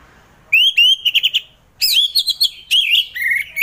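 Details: Orange-headed thrush singing ngeplong, a song style played to get reluctant thrushes singing in the morning: rising clear whistles running into quick warbled flourishes, repeated in three loud, varied phrases.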